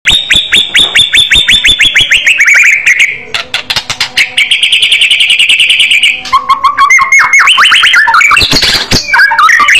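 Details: White-rumped shama singing in an aggressive fighter style with a loud voice: a long run of rapid repeated notes around a steady whistled pitch, then a sustained buzzy trill and sharp, varied whistles near the end.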